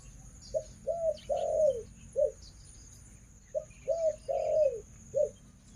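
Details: Female decoy dove kept as breeding stock on a farm, calling: low hollow coos in a phrase of short notes and one longer drawn-out coo, repeated twice, over a faint steady hum.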